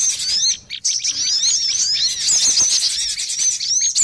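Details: Cinereous tit lure call used to attract birds: busy, nonstop chatter of high, thin twittering notes and quick sliding whistles, overlapping densely throughout.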